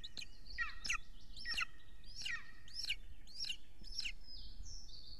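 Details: At a golden eagle nest in Estonia, evening of 3 June 2020, huge prey arriving: six piercing, falling yelps at steady intervals, partly blurred by low rumbling background noise, ending with a thin drawn-out whistle.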